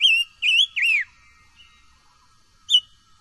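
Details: Silver-eared mesia song for voice training: a loud three-note whistled phrase, each note bending upward then dropping, followed by soft quiet notes and one final sharp whistle.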